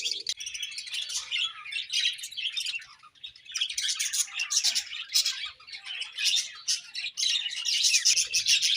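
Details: Budgerigars chirp in the morning in an unbroken stream of scratchy, twittering chatter, with high rapid notes overlapping throughout and brief dips in the loudness.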